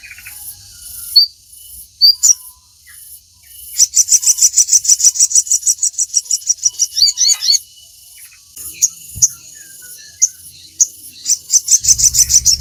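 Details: Crimson sunbird used as a singing model for captive birds: a few isolated high chirps, then long fast trills of sharp repeated notes, about three per second, returning after a pause.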